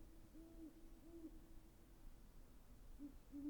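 Great horned owl giving a run of deep, soft hoots, five or so low muffled notes spaced unevenly over a few seconds, against a quiet background.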